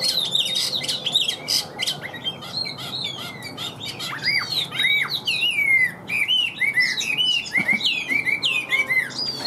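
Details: Continuous song of a caged Chinese hwamei, said to sing like a machine: loud, rich whistles with arched, downslurred notes and scratchy bursts, broken by short pauses.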